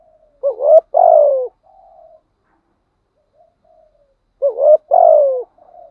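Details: Decoy spotted dove with a 'thổ' voice performing 'gù thúc' cooing: two matching phrases, each a quick rising double note and a longer falling coo, with soft murmured coos trailing after.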